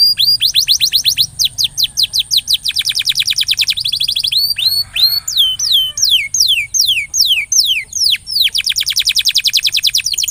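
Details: Canary song used as a lure to coax a stalled, quiet canary into singing more often: rapid series of steeply falling high whistled notes, repeated many times per second, broken by a brief buzzy rattle midway, then resuming quick sweeps.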